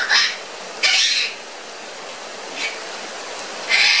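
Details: Pet parrot, fourteen months old, squealing when it rains, giving four short loud shrill screeches spaced irregularly over a few seconds, in a quiet indoor setting.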